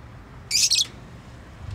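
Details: Pet bird making a single loud, harsh high chirp of about a third of a second in an otherwise quiet room with low hum.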